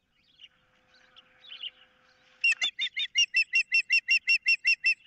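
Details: Osprey calling while an intruder is about and a fish is contested at the nest, 15 April 2023: soft murmuring chirps give way to a long, even string of loud, high whistled notes.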